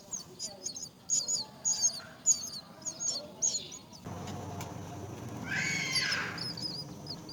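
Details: Myna birds caring for their young at the nest: a rapid run of thin, high chirps in small clusters for about four seconds, then a broad rushing burst of noise with a few more faint chirps at the end.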